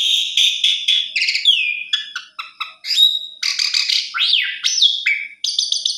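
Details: Loud, varied song of an Asian pied starling, used to draw a quiet bird into singing: rapid chattering bursts mixed with sliding whistles that swoop up and down, delivered almost without pause.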